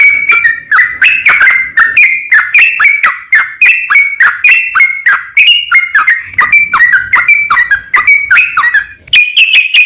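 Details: Yellow-vented bulbul, song played to provoke other bulbuls to sing, a long continuous string of chattering, bubbling notes with rapid up-and-down pitch changes, steady and loud throughout.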